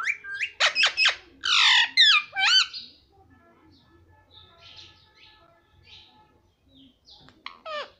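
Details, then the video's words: Parrot described as talking, saying papa and mummy; a fast burst of loud squawks and upswept, rasping syllables over three seconds, a quiet pause with faint chirps, then two sharp calls. "parrot talking papa || parrot talking mummy"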